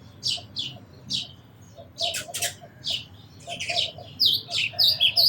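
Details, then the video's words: Sparrows giving spaced single chirps that quicken into busy, overlapping chatter with several birds calling near the end. "Very Beautiful Birds & Sparrows Sounds"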